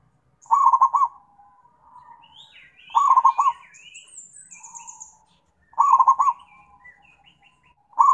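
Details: Zebra dove calling its companions with mellow, rapidly rolled coo phrases every two to three seconds; high twittering from other birds fills the gaps.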